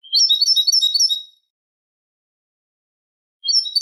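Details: Eurasian goldfinch song for tutoring young goldfinches and hybrids, Manolo style: a rapid glittering twitter over a second long, a two-second silence, then the phrase starting again.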